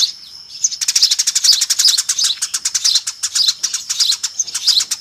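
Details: Lure recording of a noisy Eurasian tree sparrow flock: a soft opening, then an unbroken run of rapid, high, metallic chirps.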